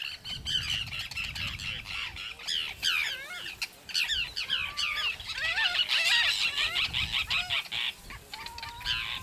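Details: Forster's terns, probably juveniles, at Cape May, New Jersey, USA, give a busy chorus of harsh, rasping, downslurred calls, many overlapping, with a few clearer rising whistles and a low rumble of wind or surf.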